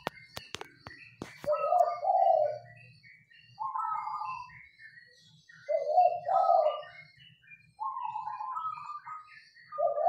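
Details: Caged local zebra dove singing actively in a rattan Mataraman-style cage: low, mellow cooing phrases with rolling, bubbling notes, each lasting about a second and repeated roughly every two seconds, with a few sharp clicks at the start.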